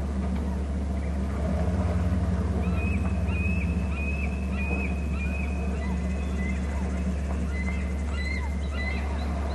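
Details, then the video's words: Two bald eagles calling near a nest and territory on Hornby Island, another eagle perched off to the right; thin high piping notes in short descending series, over loud low engine-like hum and rumble. "hearing two eagles call"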